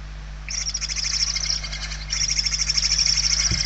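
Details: Hungry barn owl nestlings in Spain, 28 November 2023: near-continuous loud rasping hisses, pulsed rapidly, one long run then another overlapping and louder, with a faint thump at the end.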